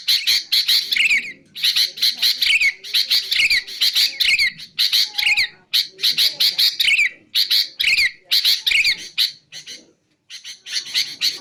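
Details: Sooty-headed bulbul, used for training caged birds to sing and for luring wild bulbuls: loud harsh chattering bursts with downslurred whistled notes, repeated in rapid runs broken by short pauses.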